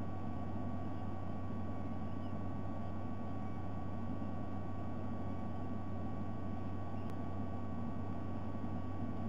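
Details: Steady low rumble of an engine, like a boat or vehicle, with broadband hiss and no animal voices.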